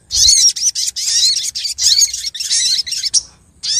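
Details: Female sogok ontong (Brown-throated sunbird) calling the male, a lure recording from Lumajang; thin, very high chirping phrases with quick up-and-down notes, delivered in bursts separated by brief pauses.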